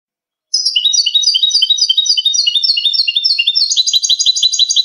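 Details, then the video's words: European goldfinch performing cante limpio clean song for teaching captive birds: rapid, rhythmic series of bright twittering notes, shifting partway into a slightly higher, faster tinkling run; quiet background with faint clicks. "jilguero cante limpio"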